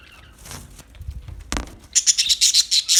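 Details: Parakeet with soft rustling and a flutter-like noise at first, then a fast run of bright, high chirps over the last second.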